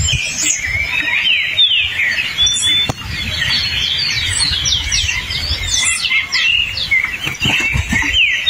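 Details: In forest, a hepatic tanager delivers whistled, swooping phrases amid a busy run of quick high chips and tweets, over faint low background rumble.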